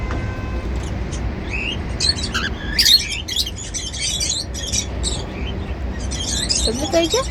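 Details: Happy cockatiels at their seed meal chatter in a rapid stream of scratchy chirps and short rising whistles, with busy bursts throughout. A low-level background hum runs underneath.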